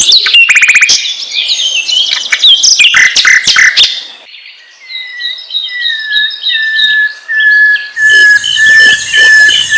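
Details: Asian brown flycatcher song, played to provoke other birds into singing: a burst of dense, rapid high chirps and clicks, then a lower whistled note drawn out and repeated, with thin high twittering above and a buzzy background at the end.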